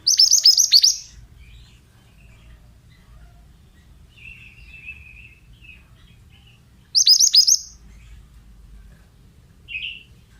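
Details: Male Oriental magpie-robin repeating a fast phrase of high, hooked, falling notes twice, about six seconds apart, with softer buzzy warbles and a short chirp in between; light background hum.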